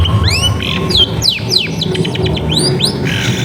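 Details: Long-tailed shrike song used as a lure to coax silent shrikes into singing, recorded in a crowded residential area: sharp, fast, clear whistled and slurred notes, some falling and some rising, with steady low background noise.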